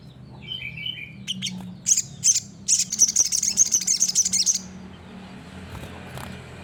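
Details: High, thin song of an olive-backed sunbird used for bird-training: a few descending whistled notes, then a fast shrill trill lasting about two seconds, over a constant low hum.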